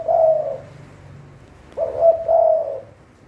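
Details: Thai decoy Spotted dove kept for trapping. A drawn-out mellow coo fades, then a new phrase follows: a short note and two warm, sustained coos. A faint low rumble runs underneath.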